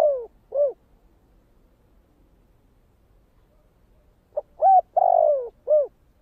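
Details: Spotted dove singing in the 'thổ kích bổi' voice style. The tail of one cooing phrase ends with two short notes. After about three and a half seconds of quiet, a full phrase follows: a soft lead note, a level hoot, a long falling coo and a rounded closing note.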